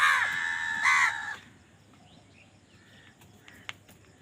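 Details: Crows fighting for food: two loud, harsh, buzzy caws at the start, the second around one second in, followed by quiet background with faint distant chirps and a brief click.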